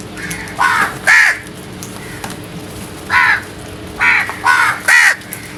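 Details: Crows at early morning making loud noise, a run of six hoarse caws, first a close pair, then a single call and a quick triplet near the end.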